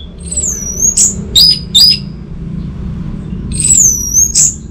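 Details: High thin whistles from an orange-headed thrush, long drawn-out sliding notes alternating with short sharp chips, the long whistle returning near the end; lure song for prompting silent birds, with a low background hum.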